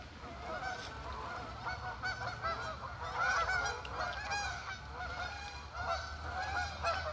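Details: A large gathering of geese honks continuously, many overlapping nasal calls forming a dense, chattering chorus with a steady low rumble of wind or traffic underneath.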